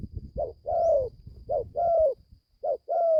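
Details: Young captive spotted dove, newly begun calling, on its first training trip into the forest in Gia Lai, Vietnam; three two-part coos, a short low note then a longer slurred descending coo, about one per second, with faint low rumble at the start.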